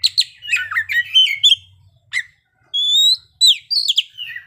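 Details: Oriental magpie-robin showing its learned song material: a fast jumble of chirps, then spaced notes including a pure held whistle and descending slurs, over a faint low hum.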